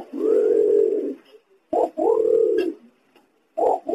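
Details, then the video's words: Green imperial pigeon call for luring wild pigeons: low, resonant, sustained moaning coos lasting about a second, each opened by a brief abrupt note, with short silences between. "Suara pergam hijau"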